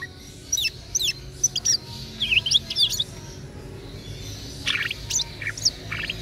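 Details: Local East Java green leafbird (cucak ijo), a caged bird, singing: sharp high whistled notes sweeping up and down in quick bursts, some buzzy chip clusters later, with faint low background hum.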